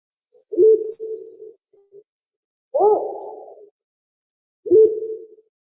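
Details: Spotted wood owl of Indonesia and Java giving three deep, hollow hoots, heard as 'ah' then 'who', each about a second long and two seconds apart; the middle one swells slightly higher before fading.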